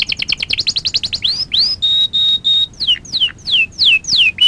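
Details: Canary singing in a training lesson for young canaries: a quick high trill, then slower rising and falling whistled slurs, three flat sustained whistles, and sweeping down-slurred notes.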